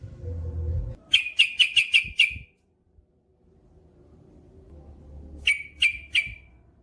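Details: Yellow-vented bulbul (trucukan), male in full song: a quick run of five sharp, downward-sliding chirps, a pause of near silence, then three more chirps, with a low hum at the start.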